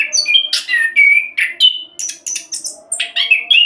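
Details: Fast-rolling orange-headed thrush song meant to prompt other birds to sing, packed with dense whistles, harsh buzzy strokes and slurred notes following each other almost without gaps.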